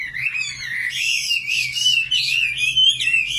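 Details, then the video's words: Short stretch of a common nightingale's song: one unbroken, wavering whistled warble that climbs and dips, over a quiet low hum. "Singing nightingale. amazing bird song"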